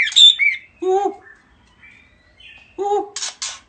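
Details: A head-shaking bird's greeting call: a loud high squeaky note, then two nasal squawks separated by a quiet gap holding faint thin whistles, ending with two brief rasping bursts.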